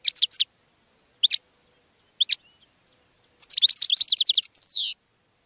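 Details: Goldfinch singing to attract other birds: brief high twittering bursts at one-second gaps, then a fast tinkling run of notes ending in a drawn-out, downward-sliding slur, all against a silent background.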